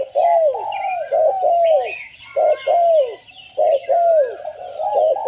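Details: Spotted dove used as a decoy bird gives its calling phrases. Loud, mellow, slightly descending coos come in clustered groups of two or three with short pauses. Faint higher chirps from other birds sound in the background.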